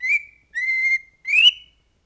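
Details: Pet cockatiel of an LSU fan whistling the football song "Hold That Tiger": three clear, pure whistled notes, the first two level and the last sliding upward, in a quiet room.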